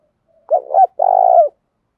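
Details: Spotted dove decoy bird with a 'thổ' voice style, calling to provoke rivals to fight: a rough, buzzy coo, then a longer vibrating coo ending in a downward slur, low-pitched, in a quiet setting.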